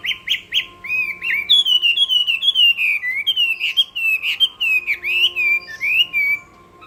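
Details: Contest-singing Chinese hwamei delivers a loud, continuous, rich whistled song of sliding, swooping phrases that dip and rise in quick succession, with a faint steady hum underneath.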